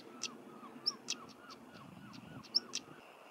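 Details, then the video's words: European stonechat in Cornwall, England, gives sharp, dry clicking notes about every half second, mixed with brief high squeaky whistles, over a soft lower warbling background. "Stonechat Bird Chirping and Singing"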